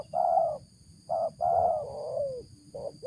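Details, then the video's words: Spotted dove giving its 'ngeruk' call, praised as strong enough to serve as a decoy for luring doves. Low, hollow cooing notes come in four short bursts over three seconds, one drawn out and sliding downward, over a faint steady high-pitched hum. "suara ngeruk ini"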